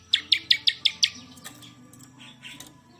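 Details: Champion bar-winged prinia singing a quick run of six sharp, high chirps in about a second, then softer scattered notes trailing off.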